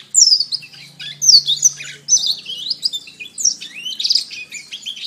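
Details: Canary masteran song opening with loud down-slurred whistles, followed by twittering phrases and buzzy rolls, each burst separated by brief drops in volume; a faint low tone underneath.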